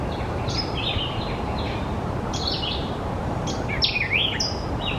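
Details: White-eyed Vireo calls: quick, chattering bursts of high chips and sliding whistles, some with a robotic, electronic R2-D2-like quality, over a steady low background rumble.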